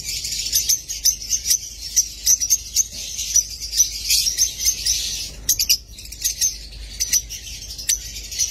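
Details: Lovebirds giving dense, shrill, high chirps and squeaky tweets in rapid overlapping bursts, with sharp clicks scattered throughout and a steady faint hiss underneath.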